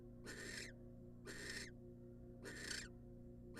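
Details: Wild female barn owl in a monitored nest box receiving a rat from the male, giving harsh, broadband hissing screeches of about half a second, repeated roughly every second, over a steady low electrical hum.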